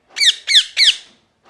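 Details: Parrot, described as angry and screaming, giving three harsh squawks in quick succession, each a falling buzzy note about a third of a second apart, indoors with no other sound.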